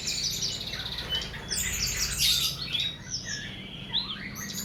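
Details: Bird song used as masteran, tutor songs for training cage birds: dense, overlapping high chirps, whistled slurs and rapid trills, with a steady low rumble beneath.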